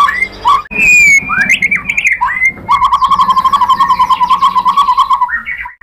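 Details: White-rumped shama lure sound to provoke other birds: swooping whistled notes and slurs, followed by a long fast rattling trill on a low steady pitch.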